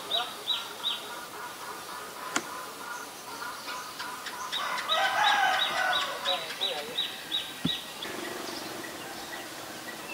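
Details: Black-collared starling, Ubon Ratchathani, Thailand, 17 November 2021: a busy, varied chatter of rapid repeated high clicks and squeaky notes with lower rasping phrases, a loud jumble midway, then fading; one sharp knock is heard.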